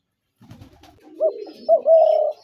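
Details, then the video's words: Brief spotted dove calling: soft low murmuring leads into two short hooked coos and one longer, steady, mid-pitched coo lasting about half a second. "তিলা ঘুঘুর আরজিনাল ডাক"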